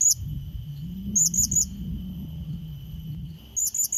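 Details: Blue-crowned hanging parrot lure call, meant to call and challenge a rival: two quick bursts of three very high, thin, sharp notes, over a steady high insect-like hum and low rumbling background noise.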